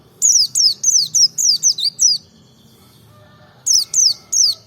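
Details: Provoking song of a Merapi white-eye: a run of eight high, thin, falling notes delivered briskly, a short gap, then three more of the same clear downslurs.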